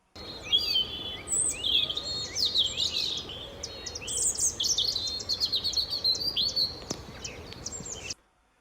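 A European robin pours out a sweet, liquid, high warble, bubbling up and down with stops, starts and thin whistles, over a faint background hiss.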